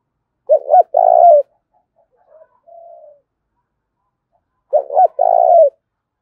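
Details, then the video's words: Spotted dove in a fierce 'thúc' contest, thổ pha đồng voice: two throaty coo phrases about four seconds apart, each two clipped notes then a sustained coo, with a softer, quieter coo between them. "Tiếng chim cu gáy thúc Đấu cực gắt giọng thổ pha đồng bổi nghe nhanh về"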